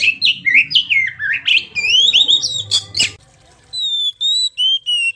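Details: Oriental magpie-robin lure sound: quick chirps and whistled slides with sharp harsh bursts, then a calmer series of four steady whistled notes after a pause.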